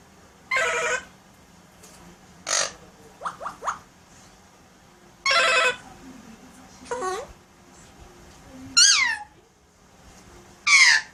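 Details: Pet Alexandrine parakeet indoors producing talking and sound effects: scattered harsh bursts, quick clicks and short whistled sweeps spread over eleven seconds, with quiet gaps between.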